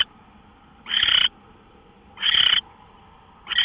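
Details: Owl filmed on a live camera at 5:27 AM on March 24 2013, giving rasping, breathy hiss-like bursts of under half a second, spaced about 1.3 seconds apart, with low constant hum between them.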